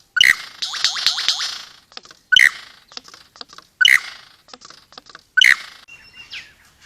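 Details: Australian forest lyrebird giving loud crackling, clicking bursts roughly every one and a half seconds, with a cluster of rapid downslurred whistles after the first burst and soft scattered ticks in the gaps.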